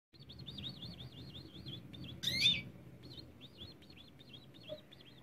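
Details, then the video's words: European greenfinch sings a fast, even series of looping, twittering high notes, about six a second, broken by one sharp, loud call, over a low background hum. "FLURYA KEKEME KUŞ YELVE"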